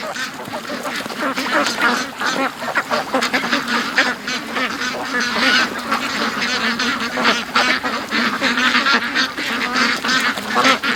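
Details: Large flock of domestic ducks rushing from their pen to the creek and lake one morning; a dense, unbroken wall of overlapping quacks and honking calls for the whole stretch.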